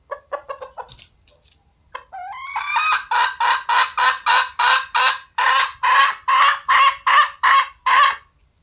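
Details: Red junglefowl opening with rapid short clucks and a pause, then a rising drawn note that breaks into a long steady train of about fifteen loud, coarse cackles at a brisk, even pace.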